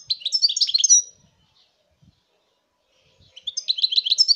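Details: European goldfinch song recorded in 2019: two bursts of rapid, high twittering and tinkling notes, the first lasting about a second, then a pause of roughly two seconds before a second lively run of chirps.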